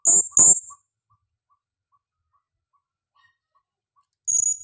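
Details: Female blue-crowned hanging parrot calling as a lure bird: two shrill, very high squeaks in quick succession, a long pause, then one more thin high squeak, with faint steady ticking in the background.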